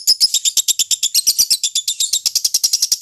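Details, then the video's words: Lovebird kept for singing-contest training, giving a fast run of sharp, high chirps at roughly eight per second that blur into a shrill chattering trill toward the end. "Masteran loveBird Juara"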